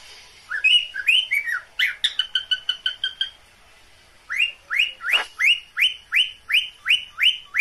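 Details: Cockatiel mating call from pet birds: upward-sweeping whistles, then a fast run of short even notes, and after a pause a steady series of rising whistles about three per second.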